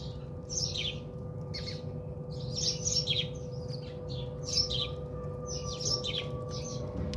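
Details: Several house sparrows chirp while bathing at a house in South Africa, bright clipped notes in loose groups separated by brief gaps, against a continuous low hum.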